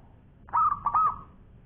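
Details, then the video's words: Local zebra dove (perkutut) singing a long phrase: a sharp opening note, then two rolling, warbled coos with a trailing hum, all in one clear burst. "Bunyi Perkutut Lokal Gacor Suara Panjang Juara"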